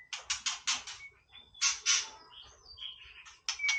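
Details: White-rumped shama singing playfully: a burst of four rapid harsh notes, then scratchy chatter and thin high whistles, ending in a bright whistled note.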